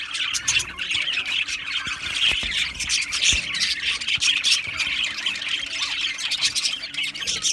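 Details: Many Australian budgies in an aviary colony keep up a steady, high, squawking chirp chorus with no pauses, a thick wall of overlapping calls.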